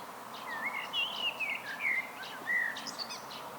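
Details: Solo song of a common blackbird, a run of rich whistled notes sliding between pitches, closing with a scratchy, high-pitched twitter; faint steady background noise.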